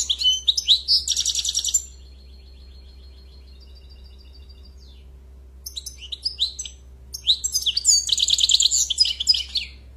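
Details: European goldfinch singing fast liquid twitters and chirps, then a thin drawn-out buzzy note and another burst of jangling notes, with a constant low hum underneath.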